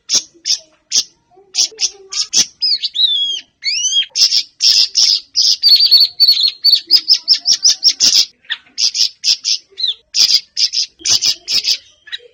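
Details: Siri-siri bird, recording meant to make caged birds open their beaks and sing: busy, high-pitched chirped song with quick trills and curving whistled notes early on, delivered in near-continuous bursts.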